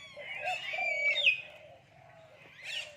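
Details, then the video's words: Common hill myna speaking human language: a mix of bright sliding whistles and voice-like harmonic notes, loudest just past one second, then softer speech-like sounds fading out. "common hill myna speaking human language"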